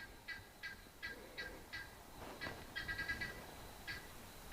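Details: A guineafowl calls in the background in harsh, rattling notes, about three a second, on an evening game drive in Pridelands Conservancy, Greater Kruger, South Africa, on 19 November 2021.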